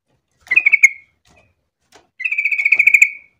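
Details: Yellow-vented bulbul, a lively lure song meant to set other bulbuls singing: two bursts of rapid, evenly pulsed bubbly notes on one pitch, the second burst longer, with a short quiet gap between.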